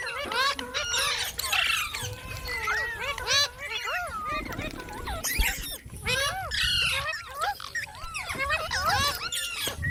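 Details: Pet parrot talking, said to call "mitthu mitthu": nearly continuous chatter of looping, speech-like syllables and squeaky upsweeps, with louder bursts every few seconds and low handling noise underneath.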